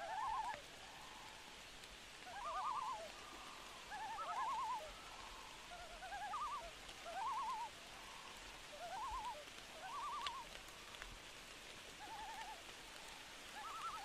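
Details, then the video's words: Loon calling on a rainy night: wavering, quavering tremolo phrases, mid-pitched and repeated roughly every one to two seconds, some pitched higher than others, over a steady soft hiss of falling rain. "Haunting Loon Call On A Rainy Night"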